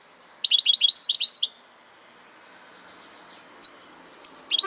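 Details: European goldfinch delivering a one-second burst of rapid tinkling chirps, followed by a quiet pause and then scattered sharp single notes and short twittered fragments.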